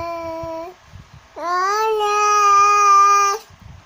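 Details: Cockatoo singing: a short steady nasal tone, a brief pause, then a long note that rises and holds level for about two seconds, rich in overtones.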